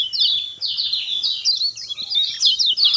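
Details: Lemon-bellied white-eye singing as a prompt for a silent bird: a series of clear, high, downslurred whistled phrases run together into a sweet, flowing warble.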